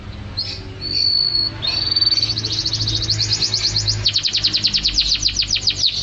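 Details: Canary song used to train songbirds: steady thin whistles give way to a long, fast, pulsing trill that speeds up and continues to the end.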